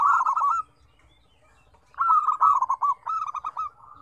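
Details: Lively zebra dove singing with varied tones: a brief rolling coo burst, a pause, then a longer run of bubbly trilled coo notes falling slightly in pitch, ending in a soft drawn-out note.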